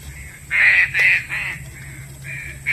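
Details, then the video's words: Loud rasping notes from a green pigeon, played as a trapping lure: three strong bursts in quick succession followed by softer, thinner level notes, over a low hum. "Poin burung Punai daun"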